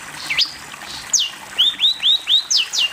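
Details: Long-tailed shrike master song used for training young birds: a series of clear, sharp whistled notes, some slurring down and others rising in short arcs, about two per second, with quiet background.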